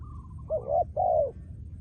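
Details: Spotted dove kept as a trained decoy bird gives two loud, hollow, low coos, the second longer and gently falling, after a faint wavering higher call from another bird.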